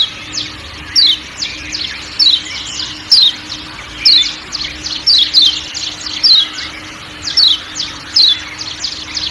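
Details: Lombok kecial kuning white-eye calling with sharp, high descending chirps, single or paired, repeated about every second over constant forest ambience and a low steady hum.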